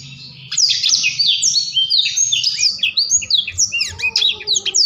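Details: Blackthroat song in the rolling ngerol manner begins after a brief quiet moment, then pours out as a fast, varied chain of sharp whistles, trills and falling slurs that grow more clipped toward the end.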